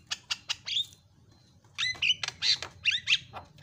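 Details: Javan myna (jalak kebo) singing fast fill phrases: three harsh notes and a squeaky whistle, a short pause, then a jumble of whistled slurs and grating notes.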